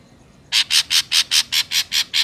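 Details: Natural ashy drongo recording used to attract drongos to traps: a steady series of nine harsh, grating rasps, evenly spaced about four per second.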